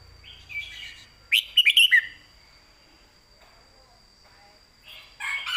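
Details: Caged red-whiskered bulbul giving southern-style master song for training birds. A quick loud burst of four warbled notes follows soft whistles, then quiet gaps and another phrase starts. A faint steady high tone runs throughout.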